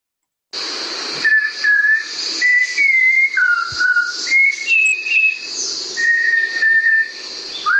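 Malabar Whistling Thrush song: a rambling run of clear, human-like whistles, each held briefly and stepping up and down in pitch like an idle tune, over a steady hiss.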